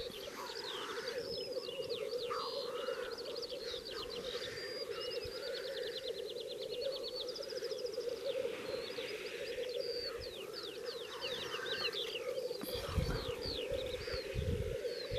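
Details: Black grouse males at a mating lek, the largest in Latvia, with 66 males counted, in swampy forest with small open bogs in Slitere National Park, where hunting is banned: a steady, low, dove-like bubbling chorus beneath chirps and trills of other birds.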